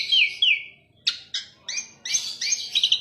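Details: Asian pied starling delivering loud whistled swoops, then short harsh bursts and a rising series of ringing whistles with chattering trills.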